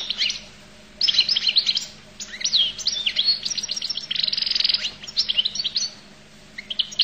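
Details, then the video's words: Goldfinch, the Collo type, delivering a varied high song of swooping whistles, sharp chirps and a brief buzzy rattle, with gaps between phrases and a soft hum behind. "تغريد حسون القل"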